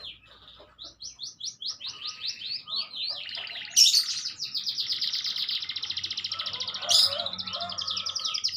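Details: Canary in sustained song: rolling high trills of rapid repeated notes, shifting pitch between phrases, with two sharp loud bursts and a long buzzy fast trill at the end.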